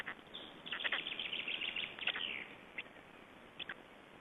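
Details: Black storks at a nest in Estonia during feeding, recorded 20 May 2012: a dense run of scratchy, squeaky chattering notes for about two seconds, then a few isolated short clicks over a steady background hiss.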